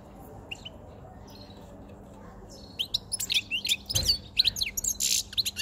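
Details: A caged white-chinned male European goldfinch near spring and the onset of breeding condition; after nearly three seconds of quiet room hum, a rapid run of high twittering and buzzy notes begins, with one low thump.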